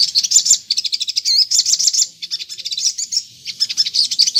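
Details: Sunbird singing continuously as a lure to provoke replies from others of its kind: quick, piercing chirps in tight runs, a few looping whistles, and a brief lull before the chatter resumes.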